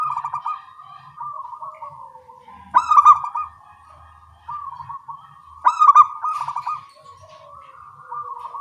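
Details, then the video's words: Local zebra doves singing eagerly in the morning and answering one another: soft running coos broken by two loud, choppy pulsed bursts, with quieter replies between them. "Perkutut lokal suara kecil gacor pagi hari bersahutan"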